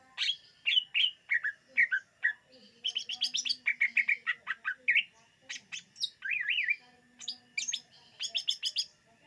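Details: Song of the greater green leafbird, used to lure birds: loud, varied chirps and whistled phrases, rapid stuttering note runs and a wavering warbled whistle, in lively bursts separated by short gaps.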